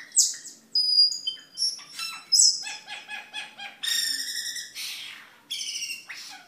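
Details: Gacor cucak keling song used for masteran and luring, with sharp whistles, rapid stuttering chatter and rasping buzzy notes delivered in uneven bursts.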